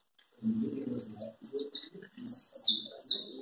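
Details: Saffron finch in chapinha carritilha style: a few separate high chips, then a quickening run of bright, descending slurred notes repeated more than twice a second, over a soft background murmur of voices.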